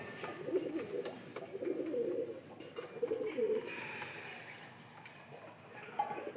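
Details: Domestic pigeons in a netted loft coo in low, throaty, rolling phrases, repeated again and again; the birds stay inside because the weather is bad, and one pigeon calls a lot.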